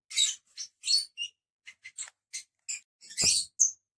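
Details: Five pet lovebirds together giving short, shrill, high chirps and squeaks in irregular bursts, some overlapping, with brief quiet gaps and one louder harsh rasping note near the end.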